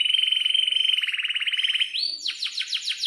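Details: Long canary roll, a steady rapid buzzy trill lasting about two seconds, rising into a pure note and then a burst of sharp falling chirps repeated several times a second. Sung by a bird in breeding condition.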